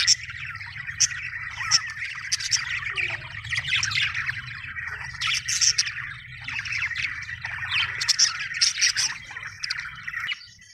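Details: Happy budgie chatter: a long, unbroken run of warbled twitters with high squeaky accents every second or so, over a faint low hum.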